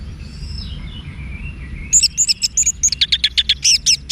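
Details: Orange-headed thrush, Bali, Indonesia, song meant to train caged birds: a faint sliding whistle, then a dense, fast stream of high, sharp chirping notes, some very high and scratchy.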